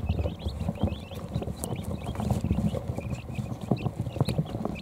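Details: Hours-old quail chicks gathering under a heat plate in their brooder to rest; bright short peeps, some slightly rising, repeat irregularly above heavy low thumps and rustling as the chicks settle.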